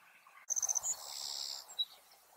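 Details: Savannah sparrow (Passerculus sandwichensis) at a nesting site in fields, singing in response to another Savannah sparrow: a quick run of thin, very high chips, then a long insect-like buzz, ending in a short lower note.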